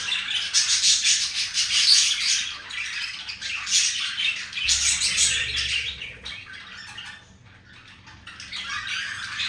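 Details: Courting male green budgerigar beside a female, delivering rapid squeaky warbling phrases in bursts, with a quieter gap after six seconds before the chatter resumes softly.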